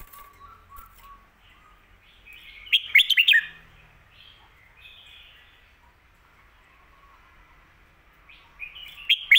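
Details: Red-whiskered bulbul singing a popular phrasing of the song style called Phat Kuay Tiao, a master song: bright, warbled, bubbling phrases near the start and end, with softer chirps from other birds between them.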